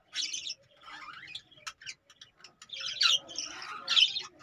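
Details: Caged budgerigars giving scattered warbling chirps and harsh squawks separated by brief silences.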